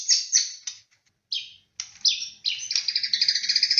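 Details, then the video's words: White-rumped shama singing energetically in a lure recording: loud, rapid chirps and bright high notes in bursts, ending in a quick run of repeated sharp notes, with no other sounds. "PANCINGAN BURUNG MURAI BATU PALING GACOR AMPUH"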